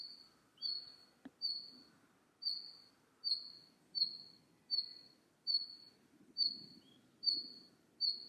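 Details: Red-flanked bluetail uttering repeated thin, high whistles about every three-quarters of a second, with a couple of brief lower notes, a sharp click, and faint low rustling beneath.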